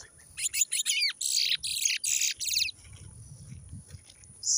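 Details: Guyanese brown towa towa, 2023, singing short loud chirpy phrases in quick succession, each a cluster of sharp high notes, followed by faint low rumbling.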